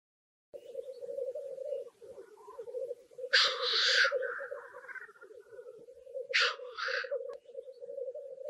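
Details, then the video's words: Black grouse cocks at a spring lek in Kuusamo, Finland: a steady, low, dove-like bubbling rookoo runs throughout, broken twice by loud, harsh hissing sneezes. "BLACK GROUSE lek"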